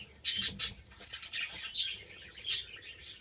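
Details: Captive-bred Antillean siskins, breeding pairs including males from 2013 and a 2014 male not yet in full colour, giving a quick, high twittering song of thin chirps and buzzy trills, notes tumbling together in short bursts.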